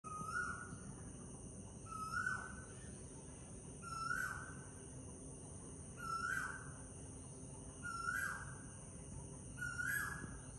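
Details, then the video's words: Asian koel in a Sri Lankan garden in the morning gives a loud, clear call about every two seconds, six times in a row, over a steady high insect drone and low background hum. "Asian Koel bird sounds"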